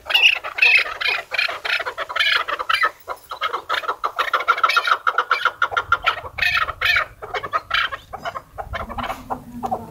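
A chukar partridge gives a long run of rapid, harsh clucking chuck notes, several per second, rising and falling in bursts, with a low hum in the background near the end.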